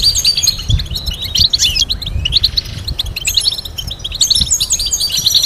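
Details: European goldfinch song from a recording meant for teaching goldfinches to sing complex melodies: rapid, continuous high twittering with buzzy notes and quick liquid trills, almost no pauses, over a faint low rumble.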